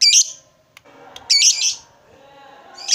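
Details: Lovebird from a hobbyist's collection: loud, harsh, grating squawks, one roughly every second and a half, separated by quiet murmuring chatter.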